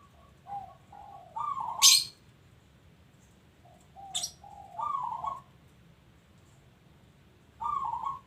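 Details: Local zebra dove, a lively frequent singer, delivering its stepped cooing phrase: a few short low notes climbing into a longer trilled coo, repeated three times, with sharp high chirps from another bird between phrases.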